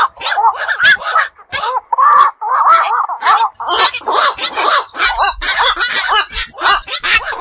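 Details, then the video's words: Croaking black-crowned night herons, night-waking birds of fish ponds and wetlands, give repeated gruff calls with wavering tones, spaced irregularly. "বাকচু পাখির ডাক. নিশি বক এর ডাক. 4 রাত জাগা পাখির ডাক"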